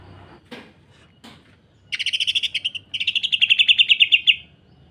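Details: After a couple of faint clicks, a greater green leafbird bursts into a dense harsh 'sewing machine' rattle. Two rapid strings of buzzy notes follow each other, the second steadier and higher, for training young leafbirds.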